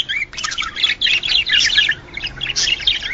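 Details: Mating song of a male budgerigar, said to arouse males and females; after a short quiet start, an intense run of scratchy chirps and squeaky twitters continues almost without a break.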